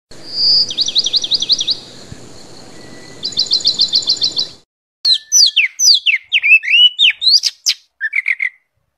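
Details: Oriental magpie-robin training recording (masteran) for silent captive birds, with varied fill-in phrases: fast rising-falling high trills in two bursts, a cut, then sharp descending chirps and a short buzzy ending over faint hiss.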